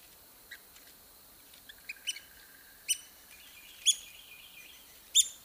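Red-cockaded woodpecker giving sharp, squeaky, high-pitched call notes at irregular intervals, about one a second, over faint background hiss.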